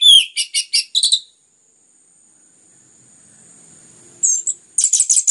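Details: Orange-headed thrush singing vigorously to encourage other birds to sing: a rising whistle, then four evenly spaced buzzy high notes, a long pause, a brief slurred note, then another fast run of high notes, all over a thin steady tone.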